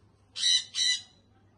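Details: Baby sun conure (Aratinga solstitialis) call: two harsh, broadband screeches in quick succession, each about a quarter second long, with a low hum beneath.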